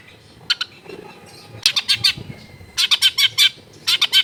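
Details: Long-tailed shrike singing, recorded at a home in a densely populated neighbourhood. Harsh, scratchy bursts of notes come in quick clusters, separated by short pauses. A quiet low hum sits underneath.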